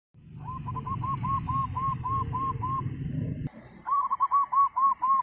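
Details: A wild local zebra dove (Geopelia striata), of the 'Gendowo Sabdo' voice type, sings quick runs of soft, rolling coos, about four notes a second, then pauses and starts a second run. A low rumble sits under the first phrase.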